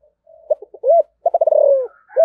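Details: Spotted dove in 'giọng thổ' style giving its calling coo: a soft opening, a swelling hooked coo, then a quick stutter of even notes drawn into a long falling coo, with a final note cut short.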